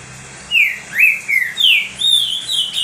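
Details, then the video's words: A green-winged saltator sings loud, clear whistled phrases meant to excite other saltators, its slurred notes rising and falling, about five in under three seconds, with a steady faint background hum. "TRINCA FERRO LOUCO 🙀 CANTANDO MUITO ESQUENTA TRINCA FERRO"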